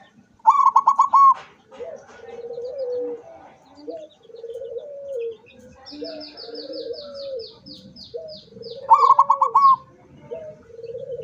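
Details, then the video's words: Zebra dove (perkutut) singing, beak open, 24 September 2023: two fast trilled bursts framing a run of low rolling coos, while another bird adds a high, evenly repeated series of thin chirps in the middle. "suara perkutut sampai buka paruh"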